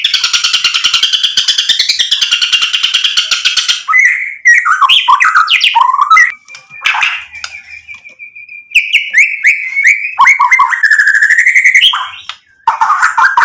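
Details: White-rumped shama singing full varied material to provoke rivals into answering: a long harsh rapid rattling burst, then mixed whistles, trills and sweeping notes, with a sustained steady whistle in the middle.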